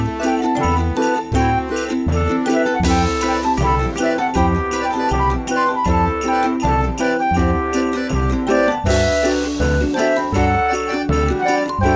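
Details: Steady instrumental music with jingling bells and a regular low beat throughout, and no animal voices.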